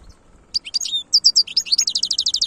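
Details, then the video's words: A European goldfinch gives a khelwi-style song, a dense, high twittering phrase that speeds into a rapid, evenly spaced trill of tinkling notes, over a faint background hum. "تغريد الحسون خلوي chont chardonneret"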